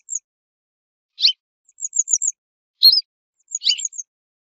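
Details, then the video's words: Western yellow wagtail giving sparse, very high, thin notes: brief downslurred chips mixed with short squeaky phrases, spaced about a second apart against a silent background. "صوت ذعرة صفراء song call wastern yellow wagtail"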